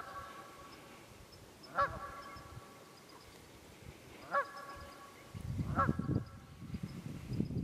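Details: Three clear nasal honks from wild geese, about two and a half seconds apart, in the Quehanna Wild Area, Pennsylvania, 27 February 2018; a low rumbling noise rises in the last seconds.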